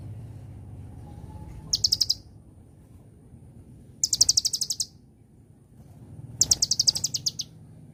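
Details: An Olive-backed Sunbird gives three short, high, rapid trills, each under a second and spaced about two seconds apart, in its celilin-style song over a steady low background hum.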